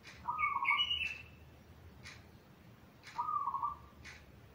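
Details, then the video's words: Zebra dove master song used to train young doves still learning to sing: a low trilled phrase followed by a higher warbled note, repeated after a pause, with sharp clicking chirps between phrases. "Kicau Burung Perkutut Yang Bisa Dibuat MAster Untuk Latihan Perkutut yang Masih Belajar Manggung"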